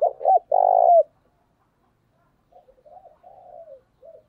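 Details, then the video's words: Morning call of a decoy spotted dove, eager thúc bổi style meant to draw in wild doves: a loud, short coo and a long burry coo, then softer, wavering coos trailing off. "Chim cu mồi gáy gọi buổi sáng và tiếng cu mồi thúc bổi rất sung"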